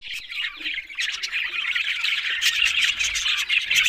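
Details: Budgerigars, the Australian parrot, chattering together in a dense, scratchy warble with quick chirps and clicks running without pause, bursts rising and falling in loudness.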